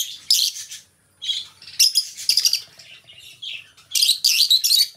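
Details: Two pet lovebirds kept together as companions, giving bursts of shrill, high chirps and squeaky twitters in rapid clusters separated by short pauses, in a quiet indoor setting.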